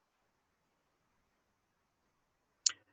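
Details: Near silence broken by one sharp click near the end.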